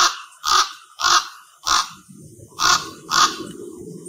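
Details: Common ravens at a communal roost of over 200 birds, audio boosted: five harsh, rasping croaks come in quick succession about every half second, followed by a low rumbling background after the second call.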